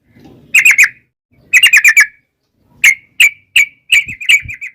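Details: Song of a yellow-vented bulbul in the long 'ropel' style, played to lure wild birds into replying: short clusters of three or four quick liquid notes, then single clear whistles, ending in a short rapid phrase.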